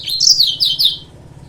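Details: Yellow-fronted canary used as a lure to provoke rival birds, giving a short, bright series of high, sweeping twitters in quick succession before falling quiet, over a faint low hum.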